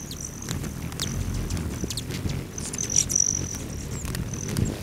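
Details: Hummingbirds at lodge feeders near Great Sand Dunes National Park, Colorado, on a July morning. A steady, high, whining buzz comes and goes as birds hover, mixed with quick, sharp chip notes.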